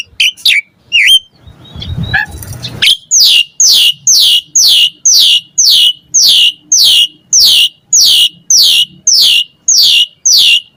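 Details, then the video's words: Asian pied starling bait recording: a few sharp whistles and a short noisy burst, then a steady series of squeaky downslurred notes repeated almost twice a second. "Pancingan Jalak Suren Gacor Mompa Variasi Mewah / Masteran Suara Burung Jalak Agar Gacor Full Isian"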